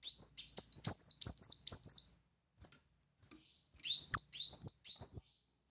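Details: A brown-throated sunbird chattering loudly, heard as tutor song with 'shot' phrases. A rapid series of high, thin, overlapping notes, a brief pause, then three distinct rising whistled sweeps.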